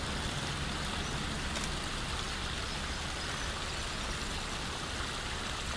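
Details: A dense roar of vehicle and rain-like rushing noise fills the whole recording, with no animal sound.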